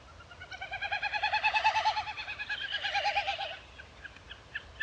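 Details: Wilson's snipe giving a hollow, rapidly pulsing hum that quivers up and down in tone for about three seconds, building then fading, followed by a few faint sharp clicks.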